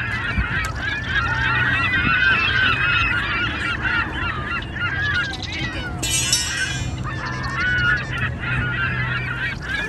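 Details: Ducks fighting on the Seine river opposite the Eiffel Tower give loud, overlapping nasal honks and squawks, several each second, with a burst of splashing partway through.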